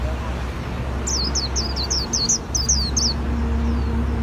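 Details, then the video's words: Japanese white-eye from Vietnam singing in the líu style: about ten high, thin whistled notes, each sliding downward, delivered in a quick run lasting two seconds over a steady low hum. "KHUYÊN LÍU HAY NHẤT 2019"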